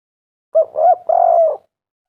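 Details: A single spotted dove phrase used as a lure to make doves call: a brief coo, a bent mid note, then a drawn-out, slightly falling coo, clean and unaccompanied.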